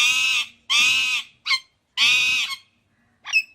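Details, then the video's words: Indian ringneck parakeet giving loud, harsh, rasping squawks, three long broad screeches, each about half a second, with shorter clipped calls between them, in an otherwise quiet setting. "Natural Parrot Sounds Compilation | Amazing Parrot Chirping Sounds | Natural Parrot Voices"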